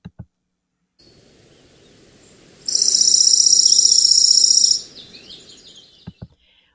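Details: Dark-eyed Junco in a yard gives a dry, rapid, even trill on one high pitch for about two seconds, like a ticking sprinkler, with faint clicks before and after. Such trills were loud in the mornings and mistaken for a neighbour's sprinkler.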